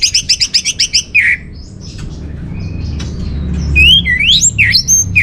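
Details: Orange-headed thrush song used as a lure and master song for caged birds. A rapid series of about seven high doubled chirps opens, then varied whistles and sweeping, rising and falling slurred notes, with low room rumble.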